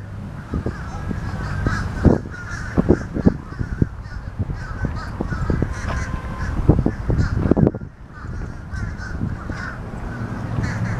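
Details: Fish crows calling noisily: scattered brief nasal caws through the recording, partly masked by frequent low knocking and rumble.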